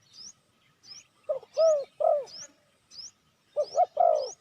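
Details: ['Low hollow coos from a spotted dove, used to lure wild doves, in two short bursts of two or three notes, while another bird repeats a thin rising whistle about every half second.']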